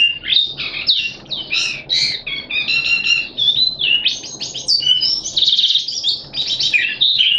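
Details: Malaysian Oriental white-eye, a caged hobby bird, recorded 25 February 2023 in full open song: a rapid, continuous stream of high, thin twittering notes, with sweeping chirps and trills tumbling together with barely a pause.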